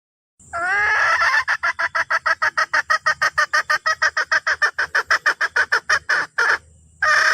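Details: Red junglefowl hen summoning the rooster: one long rough note, then a long even train of fast nasal clucks, about three a second, a brief pause, and another drawn harsh note.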